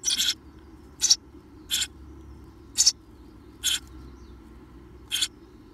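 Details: Six harsh, raspy, high-pitched bursts from 17-day-old Eurasian tree sparrow nestlings just before fledging, each brief and spaced about a second apart, over a faint low hum.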